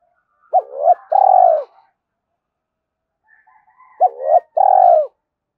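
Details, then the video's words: Spotted dove giving a two-ending calling coo, meant to rouse wild doves quickly: two deep phrases about 3.5 seconds apart, each a short hooked note, a swelling middle note, then a long steady coo that drops at its end. "tieng cu gay kich boi nhanh noi, Gáy gọi hai hậu giọng hay"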